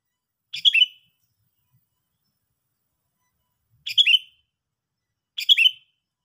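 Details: Sooty-headed bulbul repeating a short, harsh, chattering call three times at uneven intervals, each ending in a slurred whistle, with silence between.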